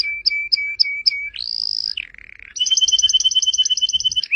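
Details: Canary singing, used as a tutor recording for pet birds: spaced sharp chirps, a sustained high whistle, a low buzzy rattle, then a long rapid trill of repeated notes; quiet background.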